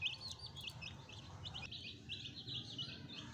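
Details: Pet domestic chicks, a fresh new batch with a hen: a steady chorus of short high peeps, many overlapping, with a faint low rumble beneath.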